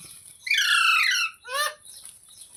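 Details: Pet parrot, called Mitthu in Hindi, giving a harsh, rasping squawk with stacked harmonics lasting under a second, then a shorter descending screech; faint background hiss between calls.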